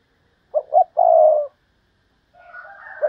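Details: Decoy spotted dove with a fine voice gives two short soft coos and a long rolling coo, followed by fainter cooing and a brief note at the end.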